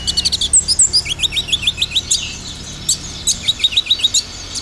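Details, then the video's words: Olive-backed sunbird lure song in dominant 'tembakan' style: fast series of short, high, downward-flicked notes about three to four per second, interspersed with sharp squeaky chirps. "Pancingan konin dominan tembakan"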